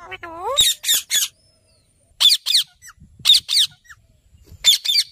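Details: Ringneck parrot opening with a low, rising whistled note, then harsh, screechy squawks given in paired bursts with short pauses between, in a quiet setting.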